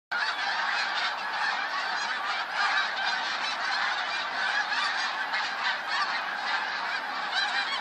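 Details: Huge flock of snow geese recorded on 28 February 2013, a dense continuous chorus of overlapping nasal honks and yelps filling the whole stretch with no pauses.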